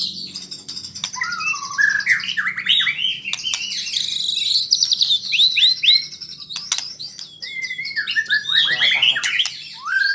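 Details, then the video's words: White-rumped shama learning rolling trills (ngerol): a dense, continuous stream of high whistles, sweeping trills and chattering notes, varied and rapid throughout, with occasional clicks. "Murai Super Belajar Kicau"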